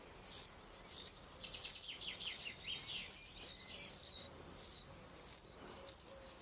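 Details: Wren chicks calling while their parents feed them: a near-continuous run of very high, shrill chirps repeated about every half second, with fainter, lower scratchy twittering in the middle.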